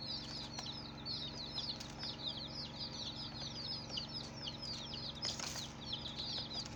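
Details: Many colored baby chicks peeping in a dense chorus of short, high, downward-sliding chirps, overlapping continuously; a steady low hum underneath and a brief burst of noise near the end.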